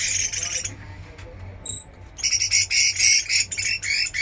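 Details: Chinese hwamei under a fighting trial, singing a vigorous run of fast, repeated high phrases after a brief quiet spell marked by a single high pip.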